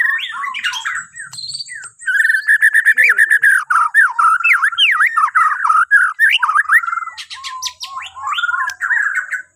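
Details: White-rumped shama from Borneo in morning song meant to coax other birds into singing: fast, loud run of slurred whistled notes and upward sweeps, mixed with squeaky high chatter, nearly continuous after a short opening phrase.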